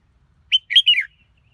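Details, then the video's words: Red-whiskered bulbul singing a short, bright phrase: one clipped whistled note, then two quick warbled notes that slide downward, over a near-silent background. "Chào Mào Hót Hay Nhất"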